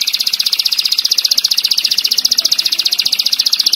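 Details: Canary singing a master song used to train other cage birds, with tight, sharp long rolls: a fast, evenly pulsed high trill, slightly buzzy, repeated steadily for the whole stretch without pause.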